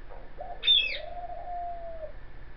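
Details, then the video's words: Rescued female dove, caged outdoors on a porch after breakfast, utters a short note and then a long, level, low coo, while a sharp high chirp from a wild bird feeding in the yard cuts in near the start. "Dove Cooing"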